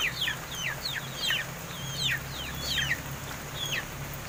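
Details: Young captive crested mynas, around seven months old, beginning to talk: repeated steeply falling whistled notes, roughly one or two each second, over constant low hum.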